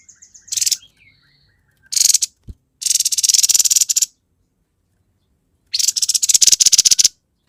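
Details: Grey-headed babbler singing gacor konslet: thin whistled notes and a short burst open, followed by several harsh, rapidly pulsed buzzy rattles separated by brief pauses, the last over a second long.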